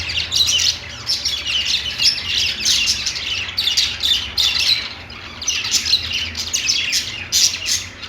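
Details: Caged budgerigars singing on a perch, an unbroken, lively chatter of rasping chirps and shrill warbles, loudest in the first and last thirds, with a soft low hum.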